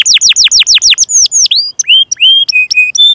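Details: Canary song, a long tutor recording for young canaries and birds that have stopped singing: a quick series of falling notes followed by separate rising and level clear whistles.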